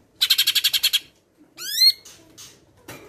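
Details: Cucak ijo of the Medan type singing a training song with mimicked calls of other birds, including sparrows; a fast buzzy rattle of about nine pulses, then a loud upward-swept whistle and short scratchy notes.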